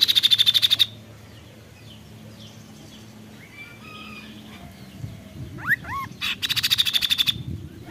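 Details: Kaso-kaso bird giving rapid high "tembakan" bursts of even, sharp notes, about a second each. They are separated by a lull with soft distant whistles and low hum, with a couple of upslurred calls before the second burst.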